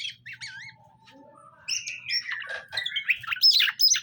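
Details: Greater green leafbirds, a caged male and female being matched; wavering whistled notes and a thin long tone, then a loud dense stream of slurred whistles and chirps.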